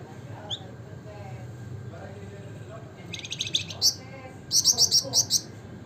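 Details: After quiet background with faint low sounds, a Javan fulvetta, or wergan jawa, breaks into quick high trills in the gacor nembak ngebren nyiul style: a stuttering run, then a brighter series of six sharp notes.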